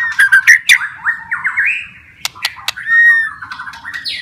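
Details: White-rumped shama song meant to bring stressed or lazy shamas back into song; harsh rapid chattering notes, rising buzzy phrases and a clear whistle, with low background hum.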